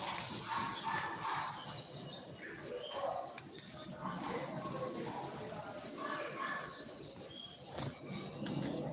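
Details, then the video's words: Coleiro (double-collared seedeater) singing the short tui tui puxada style, third note: clear whistled notes high in pitch, repeated in quick bursts with buzzy trills, over a busy background of low hum and clicks. "Destaque de Puxada de coleiro Tui Tui curto 3° nota"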